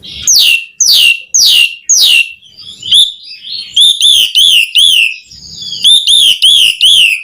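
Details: Asian pied starling singing: four loud descending sweeps, then a quick series of high arched whistled notes, repeated after a short pause.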